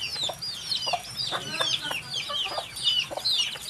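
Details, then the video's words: Chicks calling together, a quieter recording with a hiss in the background: dense high, downward-curving peeps overlapping, mixed with soft low knocks and rustling. "HUNI NG SISIW, ACTUAL FOOTAGE CHICKS SOUND"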